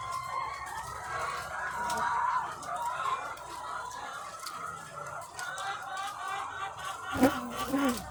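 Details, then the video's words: Egg-laying hens by the thousands on a farm keep up a busy murmur of clucking and drawn-out cackles, with a steady low hum beneath and a sharper louder call near the end. "The Sound of Thousands of Egg-Laying Chickens"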